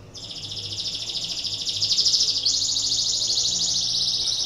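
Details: A canary in breeding condition, used to prompt other canaries into song, delivers a loud, continuous high rolling trill that shifts abruptly to a slightly different rattling tone midway, building in volume.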